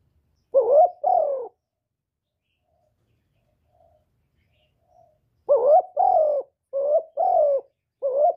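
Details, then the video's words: Spotted dove cooing in low, hollow notes, two notes, a pause of about four seconds, then a run of five quick, mellow coos; recorded without background noise to stimulate captive doves. "tiếng cu gáy giọng thổ thúc và gáy gọi"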